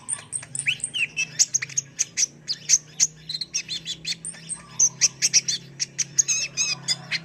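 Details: Sunbird (kolibri ninja) giving a rapid, energetic song of thin, high, sharply clipped chirps and twittering trills, packed closely together with brief whistled slurs throughout.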